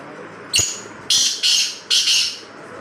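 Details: Black francolin giving a loud, harsh call: one sharp click, then three rasping, grating bursts, each about a third of a second long and spaced roughly half a second apart.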